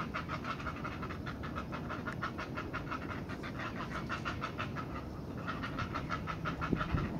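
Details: Heron chicks at the nest, being fed by their mother, give a fast, rhythmic, rasping chatter of about three harsh clicks a second, steady throughout, over a low background rumble.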